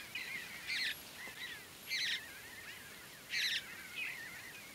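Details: Juvenile Mountain bluebirds at Great Sand Dunes National Park, Colorado, being fed in early morning light; loud rasping bursts roughly every 1.3 seconds, interspersed with softer wavering whistled notes from other birds.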